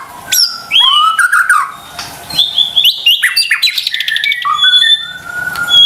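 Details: White-rumped shama song used as a lure for lazy or stressed caged birds, with loud varied whistles, quick upslurs and a dense burst of clicking trill notes between pauses.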